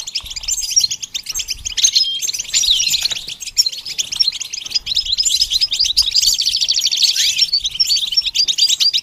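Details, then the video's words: Goldfinch song running on without pause, fast chattering twitters mixed with buzzy trills and a few downward slurred notes. "training the goldfinch to sing"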